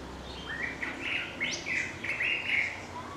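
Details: Unidentified bird singing to call its mate, heard daily; a warbled phrase of short bright notes, some rising and slurred, with a quick high upward flick midway, over quiet background.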